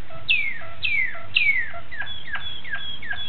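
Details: Malinois Waterslager canary recorded on 26 October 2012 gives three strong downward-sliding whistles, then softer dropping notes over a thin, sustained high tone.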